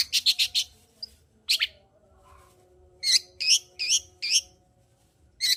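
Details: Long-tailed shrike in vigorous song, used to rouse a quiet shrike: a quick rattle of four harsh chirps, a pause, then a steady series of hoarse double-toned notes repeated roughly every third of a second.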